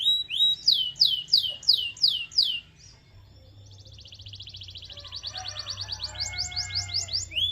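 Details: Stimulant song of a canary for getting other canaries to sing: bright rising whistles in quick succession, a soft pause, then a thin rapid rattle building into repeated sharp chirps.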